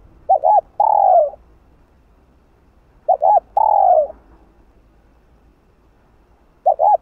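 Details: Repeated hạp bổi coos of a spotted dove calling continuously to excite another dove: each phrase is a quick double note followed by a drawn-out descending coo, repeated roughly every three and a half seconds, with a third phrase starting at the end.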